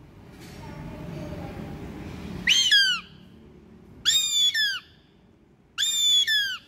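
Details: Goshawk singing: three loud, harsh, down-slurred whistled screams, about half a second each and repeated every second and a half, rising out of a low background hum.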